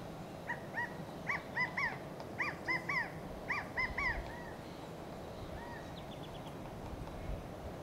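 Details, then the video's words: Male California quails giving contact calls from Monterey pines in Del Monte Forest, California: loud, arched, clipped notes in quick clusters of two or three over about four seconds, against a low rumble and faint high chips. "The Sound of California Quail"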